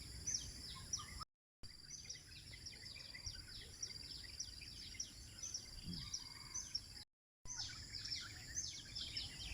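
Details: Birds singing at sunrise in Eco Park 1, Bandar Seri Botani, Ipoh, Malaysia: steady streams of high, downward-sweeping chirps from several birds. Two short silent gaps interrupt, and a faint high drone persists underneath.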